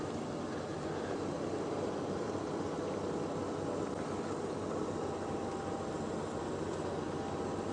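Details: Steady broadband rumble of a vehicle engine during a sunrise safari drive, with no animal calls standing out.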